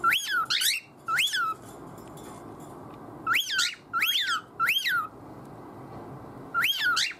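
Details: Pet cockatiel making odd, nonsensical calls to draw its owner's attention; loud rising-then-falling whistled notes with bright harmonics, in bursts of two and three separated by quiet gaps, then a single final call.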